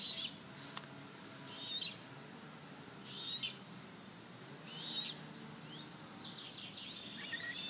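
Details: Eurasian coot chicks, filmed up close with their parents and stretching their little wings, give high, thin, hissy peeps with brief whistled notes about every one and a half seconds over a low, steady background hum.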